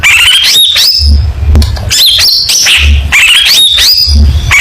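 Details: Long-tailed shrike (cendet) singing a competition-style gacor song full of 'tembakan' bursts: loud, shrill whistled notes sliding between high pitches, repeated in quick phrases, over a steady low humming rumble.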